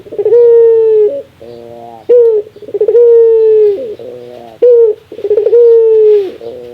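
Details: Rare laughing call of a Barbary dove: long, smooth coos that fall away at the end alternate with softer buzzy rolling phrases and abrupt short notes, repeating steadily about every two and a half seconds.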